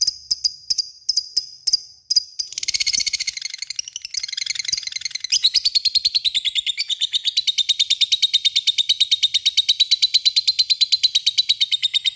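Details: Lovebird giving its long ngekek chatter to call an opponent. A few sharp squeaks open into a fast, continuous buzzy trill, many notes per second, that steadies into an even rattling stream.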